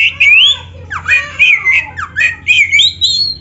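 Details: Fluent white-rumped shama song, played to spur other shamas into singing, with rich swooping whistles, downward slurs and harsh squeaky notes run together without a break.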